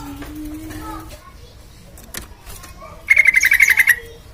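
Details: Sooty-headed bulbul singing briskly as a lure for other birds: faint soft whistles and clicks, then near the end a loud quick rattle of bright notes lasting under a second.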